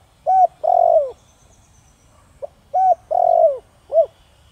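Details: Thổ Đồng-voiced spotted dove cooing to make wild doves react: two three-part phrases, each a short rising note, a long rolling coo dropping at its end, and a short arched note, over a quiet background.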